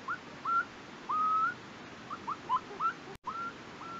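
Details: Bermuda petrel on Nonsuch Island, Bermuda, in 2017, giving short upslurred whistles mixed with a few longer, drawn-out whistled notes at an uneven pace, over a steady background hiss.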